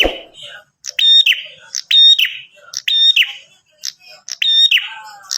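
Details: Bar-winged prinia call, used to lure other prinias into answering: sharp, high-pitched chirped phrases, each with a thin ringing whistle, repeated about once a second, after a brief low thump at the start.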